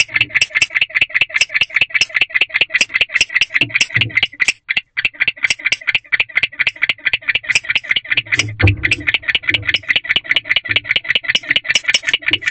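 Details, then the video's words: Barn owl male calling from a second nest box at 1:21 am, 5/3/23, chirping once associated with courting; long string of quick scratchy chirps, a short pause near four seconds, and a faint low thump later. "Mystery Chirping Male in Second Box. Owl Box D"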